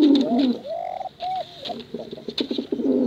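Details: Male and female pigeons cooing for contest use and luring chicks; a rolling coo, long level notes and a bowed coo, then choppy pulsed cooing with sharp clicks behind.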